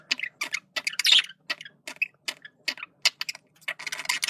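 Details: Male budgerigar communicating with clipped, ticking notes repeated about twice a second, short scratchy chirps between them and a denser chattering burst at the end.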